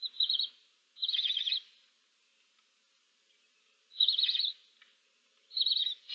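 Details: Seven barn owl owlets with an adult in a nest box on 15 March 2024; stuttering, pulsed hissy bursts under a second long, four of them spaced irregularly, each with a rapid ticking texture.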